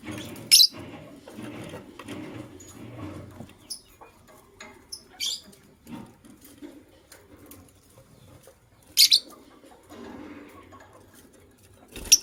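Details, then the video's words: White lovebirds, a matching pair, chirping in the morning: isolated piercing high chirps separated by long gaps, with light shuffling and rustling sounds throughout. "White LoveBird Chirping Sounds"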